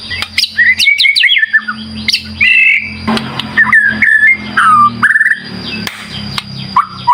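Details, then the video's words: Song of a white-rumped shama, used as a lure to set silent shamas singing: loud varied whistled phrases, rising and falling slides and clicks in bursts, over a low hum and a constant high tone. "Pancingan Murai Batu Gacor, Solusi Murai Macet Langsung Gacor"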